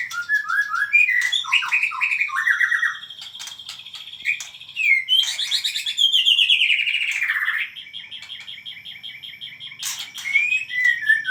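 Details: Excitedly singing white-rumped shama: varied whistled phrases with fast chattering notes, a long descending buzzy slur in the middle, then repeated trills and rising whistles.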